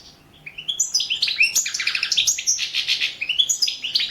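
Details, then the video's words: Competition recording of a European goldfinch from the online World Championship in Goldfinch Song: rising, high liquid notes build into a dense, fast stream of tinkling twitters and buzzy trills, sung continuously. "Pesma štiglića"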